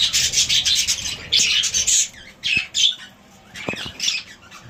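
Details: A pet budgerigar playing and chirping in bursts of scratchy, high warbling chatter with brief squawks.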